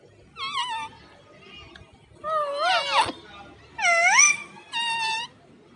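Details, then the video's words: Parrot kept as a pet, talking and kissing to its owner: four bright, bending, word-like calls with curling pitch, one ending in a harsh burst, separated by short pauses. "Parrot Laxmi talking. And kissing to Mummy."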